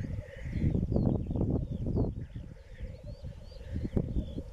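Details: Black grouse (Tetrao tetrix) lekking in east Wales on 31 March 2016, with females present: a continuous low bubbling, cooing rumble rising and falling in rapid pulses, with faint thin whistles from other birds above.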